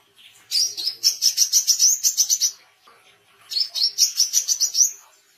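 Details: Oriental white-eye in vigorous song, intended for songbird training and wild-bird luring. Two long bursts of rapid, piercing chirps, the first about two seconds long, then a shorter second burst.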